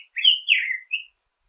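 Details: Short black-headed grosbeak phrase: two connected, rich whistled notes gliding up and then down, ending with a brief higher note, crisp and isolated.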